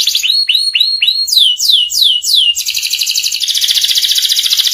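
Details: Master song of a canary in ngeriwik style for training young canaries: four clear downward-swooping notes, then a slower set of longer swoops, turning into a dense, rapid buzzing trill.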